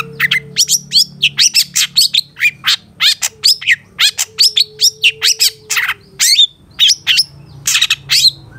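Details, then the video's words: Long-tailed shrike master recording in 'satu titik nagen' style for tutoring caged birds: a fast, continuous stream of loud chattering, squeaky and rasping notes, varied in tone, with a faint steady tone underneath. "Masteran Suara Cendet Satu Titik Nagen"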